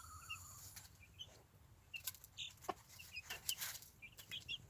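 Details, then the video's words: Easter Egger chicks with their adoptive mother hen, outdoors on fresh grass in a predator-safe chicken tractor and content, peep with scattered high cheeps and a few sharper chirps over low outdoor rumble. "The sweet sounds of Easter Egger chicks happily outside."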